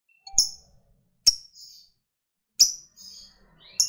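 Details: Lovebird, a fighter-type bird used as a provoking call for other lovebirds, giving short, sharp, high chirps spaced about a second apart, each a brief bright burst with a fainter trailing note, with silence between.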